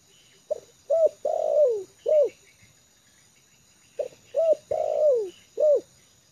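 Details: Tame decoy spotted dove comfortable on the ground, repeating a four-note cooing phrase twice about three seconds apart: a brief note, a clipped coo, a long falling coo, and a short closing coo.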